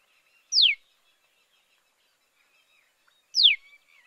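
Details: Common tailorbird chicks, 11 days old and on their first day out of a nest built in a potted hibiscus in a Kolkata garden, give two thin, high, sharply falling notes about three seconds apart.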